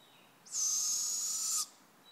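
An owl gives one long, harsh, hissing screech, high and steady, lasting about a second against a quiet background.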